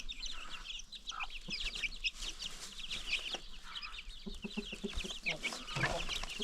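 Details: Many baby chicks on a free-range chicken farm peep in a dense, continuous high chorus, with short lower clucks from adult hens and some handling noise.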